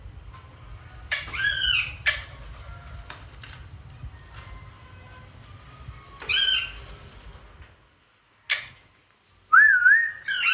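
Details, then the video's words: Wild parrots kept at home in Karachi, two chicks with their parents, flying about: harsh descending squawks come in scattered bursts over a low rumbling background. A wavering whistled call is heard near the end. "Wild parrots flying and there beautiful sound"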